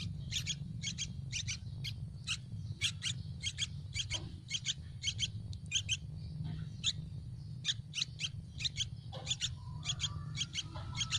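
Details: Rapid, insistent stream of high double chirps, dozens in eleven seconds, from hungry baby Yellow-vented bulbuls begging for food in a nest on a tree, with faint low hum throughout.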